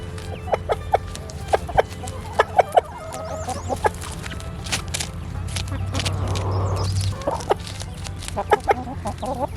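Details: A backyard rooster in spring, offered dandelions in the morning, gives short repeated 'buck, buck, buck' clucks every half second or so to tell the hens food is around, with a low hum and brief rustle behind.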